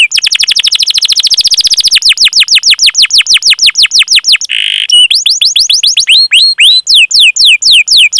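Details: Canary singing long cuit-cuit rolls to stimulate young, learning or silent canaries; a very rapid roll of downslurred notes slows into separate sweeps, interrupted by a short harsh buzz, then more clear descending whistles.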